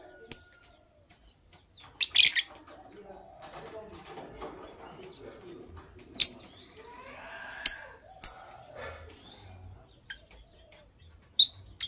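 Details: A couple of green Fischer's lovebirds chirping in the morning: short, piercing, high chirps scattered every second or two, some doubled, over a soft, continuous low chatter.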